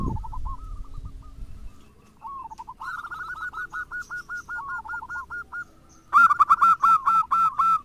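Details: Zebra dove song, local and crossbred birds, used as a lure to set other doves singing: soft cooing notes, then a loud close run of rapid, rolling coos near the end, with fainter doves answering behind.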